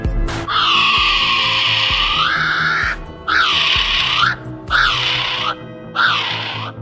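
A kiwi gives shrill, harmonic screeching whistles: one long drawn-out note, then three shorter arched cries about a second apart, over a low music bed.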